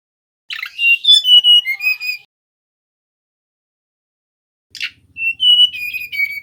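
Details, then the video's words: Song of a male mangrove whistler used as a lure: two phrases separated by a long pause, each a harsh opening burst followed by sustained clear whistles at slightly shifting pitches, with a faint low hum under the second. "Suara Asli Burung Tledekan Bakau"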